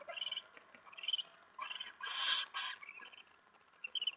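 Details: Eastern screech owl in a nest box at night, 25 February 2017, around 10:47 PM. A male chitters after his mate scolds him for checking out her mouse, then returns to his spot by the door. Several clusters of rapid, harmonic chittering bursts, loudest near the middle.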